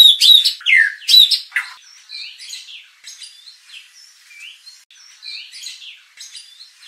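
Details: White-rumped shama song used to provoke contest birds into unloading their repertoire; a few loud bright whistles and slurs at the start, then softer, more distant varied phrases and curving whistles.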